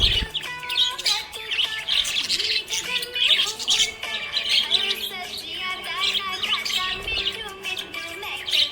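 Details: Happy budgerigar chirping: dense, busy high warbling and rapid twittering chirps run almost nonstop over a tonal music track with sustained lower notes.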